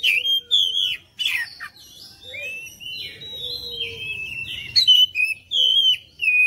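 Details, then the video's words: Lure song of an Oriental magpie-robin, played to get other birds singing back: loud whistled bursts separated by softer warbling passages, with notes rising and falling and brief sharp chips. "PANCINGAN KACER ANTI BISU"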